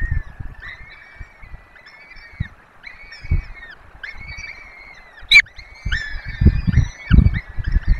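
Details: Peregrine falcon feeding four chicks at a webcam nest in Poland's Barycz Valley: a string of level wailing calls repeated roughly every second, one sharp snap midway, and scattered low thuds.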